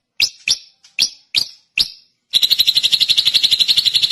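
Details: Five sharp, evenly spaced chirps from a drongo, roughly one every third of a second, break into a continuous fast, high trill that carries to the end.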